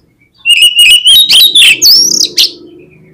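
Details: Singing oriental magpie-robin, a lure meant to rouse contest birds on the field: a long sustained whistle leads into rapid rich phrases with rising slurs, over a faint low hum.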